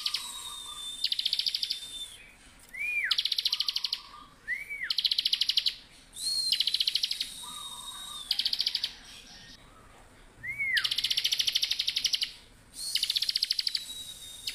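Bar-winged prinia singing loud, buzzy trills about a second long, each about every two seconds, broken by short arched chirps and thin high whistles.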